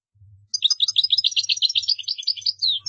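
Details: European goldfinch qdara song used for tutoring by imitation; a rapid even series of bright chirping notes about eight to ten per second, ending in a falling whistle.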